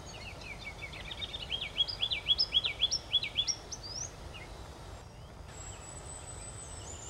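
Ruby-crowned Kinglet giving a rapid run of about ten high, thin, up-and-down notes over two seconds, against a steady background hiss.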